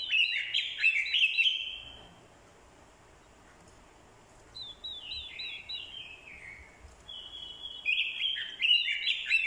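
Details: Decoy orange-headed thrush giving fighting song, stirred by a female's call: bursts of rich, warbling phrases that slide downward, a quiet gap of about two seconds, then more tumbling, overlapping phrases to the end.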